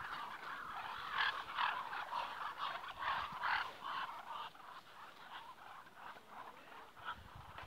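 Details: Ducks communicating with each other in rapid, repeated nasal calls, about two per second, a warbling ululation in the middle register that thins out and quietens toward the end.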